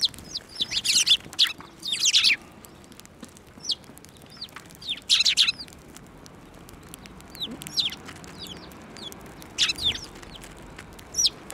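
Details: Sparrows flying onto a hand to be fed, Tenmangu shrine, March 2024; loud bursts of chirping at intervals of several seconds, separated by soft, thin single notes.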